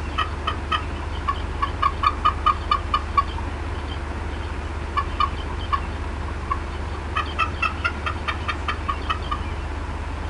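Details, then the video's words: Mother bald eagle at the Decorah North nest, 18 April 2016, upset and clucking for a long time: three rapid strings of clipped, squeaky chips separated by short silences, with a steady low background hum. "MOM UPSET & CLUCKING A VERT LONG TIME"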